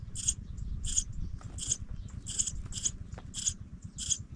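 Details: Fledgling pipits leaving the nest: a regular series of seven sharp, very high squeaks, about one every 0.6 seconds, against a faint low rumble.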